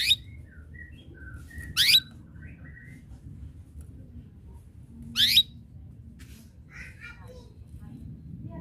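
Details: Actively singing canary giving chirping calls meant to draw rivals into singing: two loud, sharp upward-sweeping chirps about three seconds apart, with faint softer twitters between them over a low background hum.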